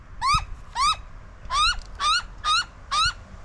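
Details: A young butcherbird that comes for food and feeds its own young, in suburban Australia in summertime, gives six nasal, harmonic notes, each briefly rising then dipping, about twice a second over a low rumble.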